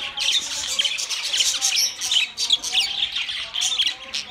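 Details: Budgerigars squawk and chirp together, harsh short squeaks over continuous high warbling, with several loud bursts close together.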